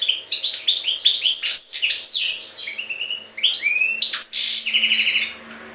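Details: European goldfinch in Jagodina singing an almost unbroken, energetic stream of bright twittering notes and rising slurs, ending in a trilled buzz, with a low hum beneath.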